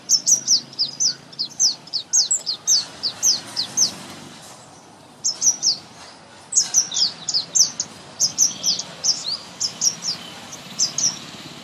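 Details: A springtime thrush nightingale delivers two bursts of quick, high, down-slurred notes repeated in rapid series, separated by a short quiet gap near the middle, over faint rural hiss.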